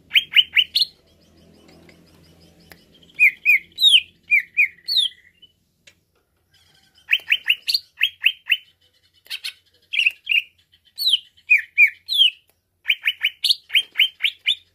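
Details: Greater green leafbird, stimulated into agitated singing: bursts of rapid sharp chirps and slurred whistles, some notes sweeping downward, delivered in fast runs separated by short silences, with a faint low hum in the background.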